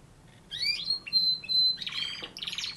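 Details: Canary singing: rising sweeping whistles lead into a steady held whistled tone, then dense harsh buzzy notes.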